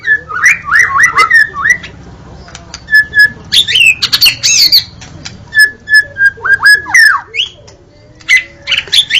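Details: Murai batu, or white-rumped shama, of Indonesia singing: bouncing looped whistles at mid pitch, bursts of high squeaky notes, clear flat whistles and more swooping whistled phrases, with low hum behind.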